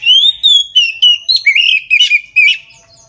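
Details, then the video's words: Midday full 'ngeplong' song of an Oriental magpie-robin, used to prompt other birds to sing: a run of about eight loud, pure whistled notes, slurring up and down, some with short buzzy edges. "KACER NGEPLONG SIANG HARI COCOK UNTUK PANCINGAN KACER AGAR NGEPLONG DAN RAJIN BUNYI"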